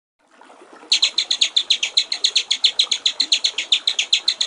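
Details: White-rumped shama in the "gericik air" (water-trickle) song style, a master recording for training songbirds: a long steady run of buzzy high pulses, about five per second, after a faint start.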